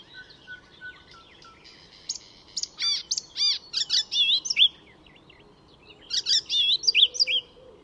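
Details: Icterine warbler in full song near Stockholm, Sweden: arched ringing notes, wavering whistles and buzzy chatter delivered in two busy bursts separated by a short gap.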